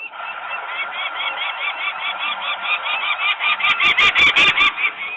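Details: Disturbed peregrine falcon parents in Włocławek, Poland, on 23 May 2022, screaming while workers are noisy nearby and the young females stay on the landing. A dense run of grating cries builds louder, ending among sharp metallic clicks.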